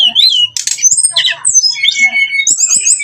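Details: Short burst of brown-chested jungle flycatcher lure song, meant to provoke rivals: dense, rapid whistles that swoop up and down, high slurred notes tumbling one after another.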